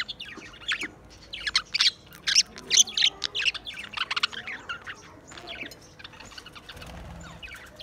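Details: Budgies recorded on 28 April 2023, chattering busily: a dense run of sharp, high chirps and short warbled notes in quick, irregular bursts, loudest in the middle seconds, then tapering to quieter twitters.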